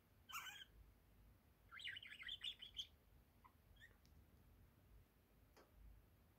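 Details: Indoor pet budgerigar, male and one year old, with a short chirp, then a scratchy warbling burst, a few faint ticks afterward in a quiet room.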